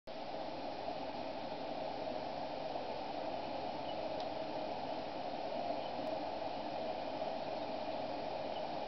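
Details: Steady static hiss and electrical hum fill the recording, with no animal voice.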